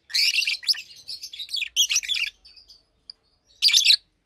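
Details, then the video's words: Caged adult Fischer's lovebirds, a blue and a pastel green bird, chirping by day: a busy run of buzzy, high chirps for two seconds, a faint tick, then one loud harsh burst. "Lovebirds Chirping, Lovebirds Singing - Two Agapornis Fischeri"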